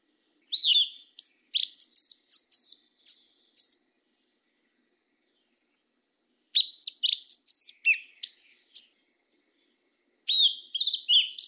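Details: Yellow-legged thrush, black form, repeating its southern 'mateiro' song: three bursts of rapid high whistles and chips, each lasting about three seconds, separated by silent pauses of several seconds.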